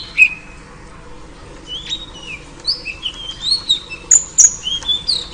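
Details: Female oriental magpie-robin calling to lure a male: a single sharp chip, a short hush, then a run of thin, high, slurred whistles that grows busier and louder.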